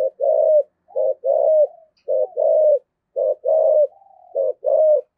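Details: Decoy spotted dove (cu mồi) cooing in the 'giọng thổ' voice style, an urging 'thúc gù' coo: low, hollow coo notes in quick paired and grouped bursts, with short gaps between phrases. Nothing else is heard.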